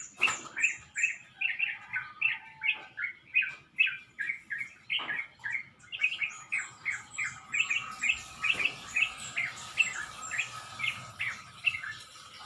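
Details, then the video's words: Dawn chorus at around five in the morning before sunrise, birds in a pomelo tree next to a house: quick repeated chirps about two or three a second, overlaid later by fainter high-pitched twitters and a steady low hum. "Birds Dawn Chorus/Birds chirping"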